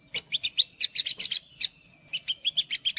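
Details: Olive-backed sunbird singing as a lure for untamed sunbirds: a series of high, thin chirps about every tenth of a second, a short pause, then further quick bright chirps.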